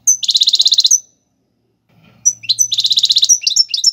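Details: European goldfinch singing a Tiwawati Galoubi and Serfati style song, used for teaching young birds: a buzzy, rapidly pulsed high trill lasting nearly a second, a pause, then more pulsed trills and sharp twittering notes over a faint low hum.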